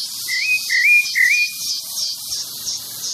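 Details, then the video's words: Pale-breasted thrush singing freely outdoors: three bright whistled notes rising at their ends, delivered in under two seconds, against a loud pulsing insect chorus that keeps up throughout. "Sabiá branco - Já ouviu o canto desse Sabiá?"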